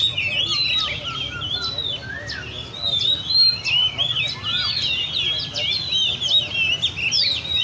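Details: At a park cafe where keepers bring caged Oriental magpie-robins, the birds sing a lively medley of high whistles, rapid upward slurs and softer lower curled notes, many phrases overlapping against faint background hum.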